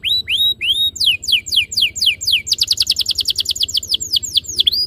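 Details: Canary tutor song to make canaries sing: a few upslurred whistles, a run of descending sweeps, then a quick rolling trill of crisp repeated notes, ending with a dipping whistle.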